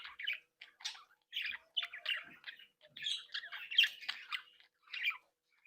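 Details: Home-bred flock of budgerigars, described as cheerful and mischievous, tweeting and singing; rhythmic short bursts of gritty chirps and warbles about once a second, building to a busier jumble before a pause.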